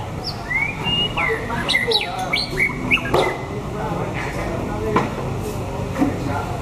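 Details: White-rumped shama, six seasons old, with a pure wild-type voice, recorded late in its moult during the 2018 season; clear whistled phrases sliding up and down, several quick rising and falling notes, over a steady background murmur with a few clicks.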